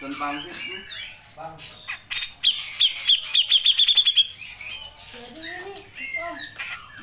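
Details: Grey-cheeked bulbul in energetic long 'nembak' song for training songbirds: soft warbling phrases, then a rapid string of about ten sharp high notes that speed up, and finally quieter mixed whistles.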